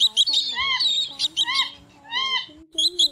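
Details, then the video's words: Pheasant-tailed jacana male, female and chicks calling during migration, a 2024 recording used as a lure for night net trapping; nasal, arched mewing notes with harmonics, mixed with dense, high chirping notes in short bursts. "Tiếng Gà Lôi Nước ẤN ĐỘ Trống mái kèm con con kêu"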